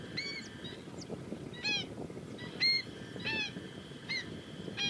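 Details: Female Black-winged stilt (Himantopus himantopus) giving sharp, nasal, yapping calls, about six in five seconds at an uneven pace, over a steady high hum and low background rumble.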